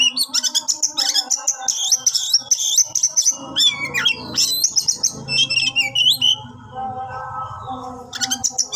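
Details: Captive-bred Oriental magpie-robin in a rich, continuous song of rapid chirps, sweeping whistles and trills, with a low hum beneath.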